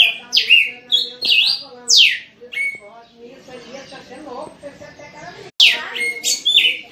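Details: Red-cowled cardinal song used to teach fledglings: bursts of ringing whistled slurs and level notes open the passage, then a stretch of quieter mixed background chatter, then the loud whistling suddenly resumes.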